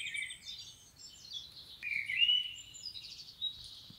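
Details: Common blackbird in the wild, Romania; a flowing run of warbled, whistled phrases in a high register, with scratchy twittering notes at the start and end of phrases, over a quiet low rumble.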